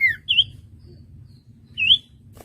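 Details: Common iora singing for a master recording meant to teach caged birds: a few separate slurred high whistles, rising and falling, with quiet low background hum.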